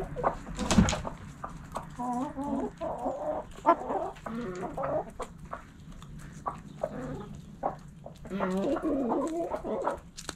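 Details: Hens in a backyard coop clucking busily, repeated harmonic clucks in bursts with a loud knock at the start, rustling and a steady low hum beneath.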